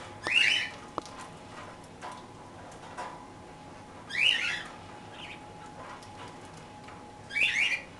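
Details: Three scratchy, buzzing parakeet chirps spaced roughly three seconds apart during a toast meal, with a few faint clicks and a low steady hum between calls.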